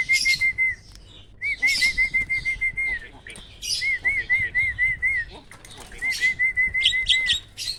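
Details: Prize-winning caged starling giving loud tembakan-style phrases: rapid series of clear, evenly spaced whistled notes, about five to eight per burst, separated by short pauses and mixed with brief harsh high chatter.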